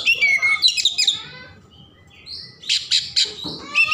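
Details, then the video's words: Oriental magpie-robin in vigorous, richly varied song meant to stir emotion and tail-spreading in other birds: rapid high whistled and chattering phrases, a pause near two seconds, then loud buzzy bursts and sharp trills. "Kacer Gacor Isian Mewah Merangsang/Perangsang Emosi Buka Ekor"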